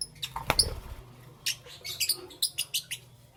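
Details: Pet lovebirds chirping in the morning, a loud click then a run of quick, evenly spaced high chirps, roughly five in a second.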